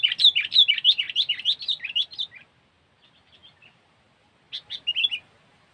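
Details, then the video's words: Sooty-headed bulbul (kutilang) in the cengkeram style, used as a lure: a rapid run of bright, bubbly whistled notes for over two seconds, a soft pause with faint chirps, then a short burst of warbled notes. "Pikat Burung Kutilang Cengkeram SAMBO IC Menaklukkan 2 BL || Suara Burung Kutilang"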